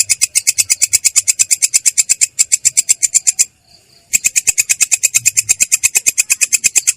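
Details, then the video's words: Long-tailed shrike rolling, its voice clear but coarse: fast series of harsh, buzzy notes repeated steadily, broken by one half-second silence midway before the chatter picks up again at the same pace. "belalang kecek ngerol!!! suara jernih kasar"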